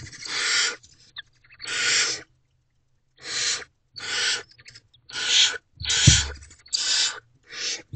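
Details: Wild barn owl family in a nest box at 4:56 am, female delivering a large rodent to the owlets: a run of eight harsh, breathy screeching hisses, evenly spaced, with scuffling and a thump in the box.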